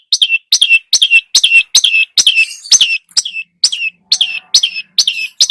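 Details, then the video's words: Long-tailed shrike lure recording, the bird singing hard with many borrowed phrases: a steady train of squeaky, descending harsh notes repeated roughly twice a second, with little variation. "burung cendet gacor, full isian"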